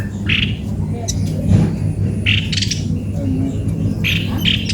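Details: Cucak kopi-kopi producing a few scattered, husky squawks spaced about a second apart over loud low-pitched background rumble.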